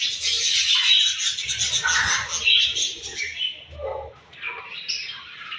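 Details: Morning feeding-time budgerigars, busy high chatter with squeaky whistles, thinning out into scattered single chirps and a few lower notes in the second half.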